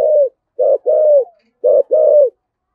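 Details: Close, loud spotted dove coo in 'giọng thổ' voice, a 'cúc dính' luring call: a short low hoot followed by a longer, even, slightly falling coo, the pair given twice.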